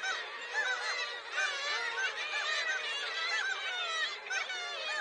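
A noisy flock of gulls gives overlapping mewing and laughing calls, many birds calling at once with sharp rising and falling cries.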